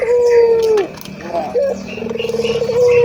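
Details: A local ringed turtle dove ends a long, even coo with a downward slide. After a brief pause comes a short note, then a fluttering purr that runs into the next sustained coo. Faint high chirping sounds in the background.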